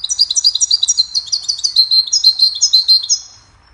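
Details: Goldfinch in sustained cheerful song for songbird training: a continuous, fast stream of bright, high, liquid twitters and trills lasting over three seconds before fading out.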